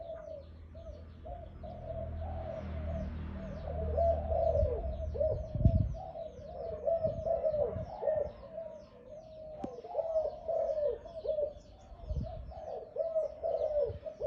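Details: Loud-voiced Malay dove in captivity calling in a long, continuous series of gurgling coos. Bird twitters sound overhead, with low rumbling handling noise and thumps in the first half.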